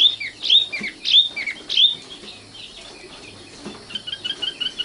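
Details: Young common nightingale (sikatan londo) giving three loud sharp whistled notes with small trailing chirps, followed by a faint quick series of soft repeated notes.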